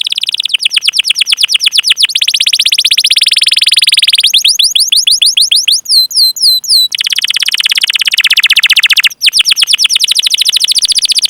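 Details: Long continuous canary roll used to coax other canaries into singing: dense rapid trills of falling notes shifting in speed and pitch, with a buzzy sustained stretch and a burst of quick high twitters midway.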